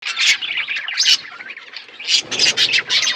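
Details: Flock of budgerigars chirping while eating food: dense overlapping high chatter and squawky chirps in bursts, louder around the start and after two seconds.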